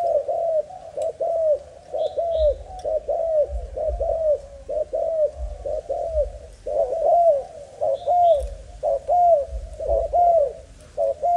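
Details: Malaysian-type young spotted dove cooing steadily: rounded, downward-curving hoots roughly every second for the whole stretch, several notes overlapping, plus a few faint higher chirps.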